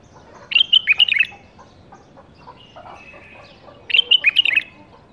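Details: Captive-bred bulbul, 2018 season, in a cage, sings two lively bubbling phrases a little over three seconds apart, with soft chirps and murmurs in the pause.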